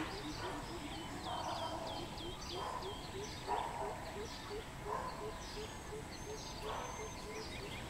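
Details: Greater coucal recorded 13/06/2020 giving a long, steady series of deep, hollow hoots, evenly paced several per second, with thin high chirps from another bird and background noise.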